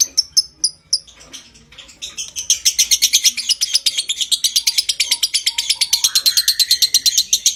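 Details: Lovebird giving a long 'konslet ngekek' chatter, played as a training song to stimulate breeding condition; a few separate high chirps open, then a dense, shrill, rapidly repeated chatter builds and runs on without pause.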